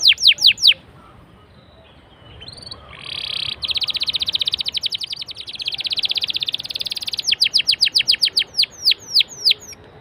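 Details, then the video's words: Lure song of a canary meant to set other canaries singing: a few sharp falling whistles, a quiet gap, a long buzzy rolled trill, then more descending whistled notes closing the phrase. "BURUNG KENARI LANGSUNG RESPON GACOR DENGAN PANCINGAN KENARI INI!!"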